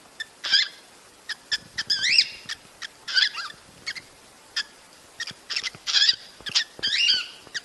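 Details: Cockatiel mating calls played to stimulate breeding: a busy mix of shrill rising screeches and short sharp chips scattered irregularly, with louder squawks near the start and end, over background hiss.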